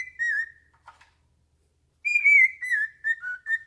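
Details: A pet cockatiel, fixated on its owner's foot, sings indoors. A short descending whistle is followed by a long pause, then a rapid run of bright whistled notes that step downward.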